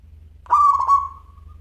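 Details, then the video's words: Local zebra dove (perkutut lokal) cooing: a soft, hollow coo under a second long, broken by two quick catches and trailing off evenly, over a low steady hum. "Perkutut Lokal Gacor Suara Kristal"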